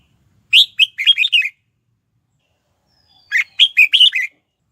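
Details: Lure song of a red-whiskered bulbul meant to provoke wild birds into fighting: two rapid phrases of five or six loud, chirpy whistled notes, the first opening with a sharp high note, about two seconds apart.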